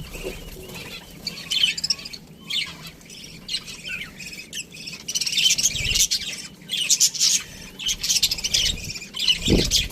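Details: Aviary budgerigars chattering together: continuous high warbling and squawky chirps from several birds, swelling and fading, with a low thud near the end.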